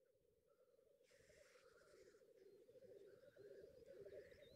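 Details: Black grouse at a lek in northern England, giving a continuous low bubbling, cooing murmur of many overlapping notes, with a brief broad hissing sneeze near the middle and fainter higher calls behind.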